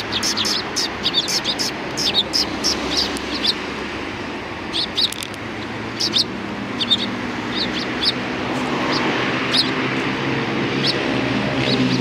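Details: Sparrows at a Tenmangu shrine's front approach, 6 December 2019: rapid bright chirps in quick succession early on, thinning to scattered notes as a low rumble of traffic grows louder.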